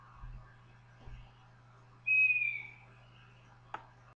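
An owl gives one clear, high whistled note, slightly falling and about half a second long, over a low steady hum with a sharp click afterward.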